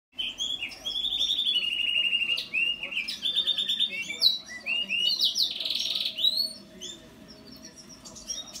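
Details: House finch singing a long, fast warble: a buzzy, rattling trill held for about two seconds, then a jumble of bright whistled notes sliding up and down, some high and squeaky, over a low steady background hum.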